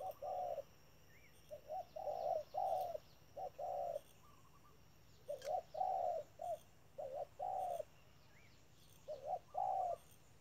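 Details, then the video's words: A spotted dove used as a trapping decoy gives low, hoarse coos in short phrases of two to four notes, repeated every few seconds. Faint chirps of other small birds are heard; the wild bird would not share the tree. "bẫy chim cu gáy. bổi thúc lợi cốt k dám chung cây"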